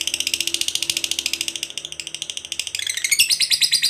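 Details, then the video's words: Lovebird long trill (ngekek panjang), meant to get other lovebirds singing: rapid harsh chattering pulses, high-pitched, then a brief gap and a louder burst of sharper, varied notes. "SUARA BURUNG LOVEBIRD NGEKEK PANJANG"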